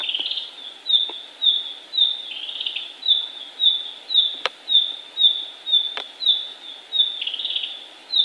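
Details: Flowerpecker singing actively in the wild in Indonesia: thin, high whistled notes repeated roughly twice per second in a steady series, with a few sharp clicks and a faint background hiss.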